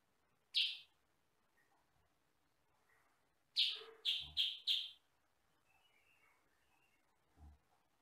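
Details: Kutilang sutra, a sooty-headed bulbul kept as a training bird, said to have one or two loud sound types: a single sharp chirp, then four quick loud harsh notes in a burst, with faint twitters behind.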